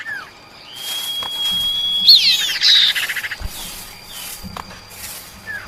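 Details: Female common iora calling the male: a long thin level whistle ending in a squeaky flourish and a brief rasping chatter, then softer buzzy notes and a falling whistle.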